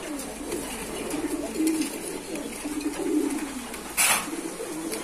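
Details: Low, murmuring coos from kept pigeons run continuously, broken by a sharp knock near the end.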